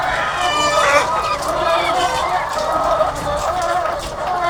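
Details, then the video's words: Egg-laying hens by the thousands on a farm create a steady wall of overlapping clucks and drawn-out, wavering calls that never pauses. "The Sound of Thousands of Egg-Laying Chickens"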